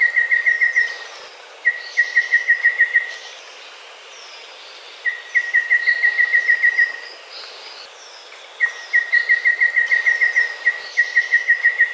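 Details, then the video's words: Golden babbler singing fast, even runs of piping notes on one steady pitch, each run about one to two seconds, repeated several times, with faint calls of other birds behind. "Khướu Bụi vàng hót hay"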